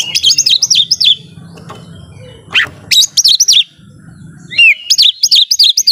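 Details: Oriental magpie-robin (kacer) in full, active song said to agitate rival birds: rapid bursts of bright, looping whistled notes and slurred chirps, with short pauses between phrases and a low background hum.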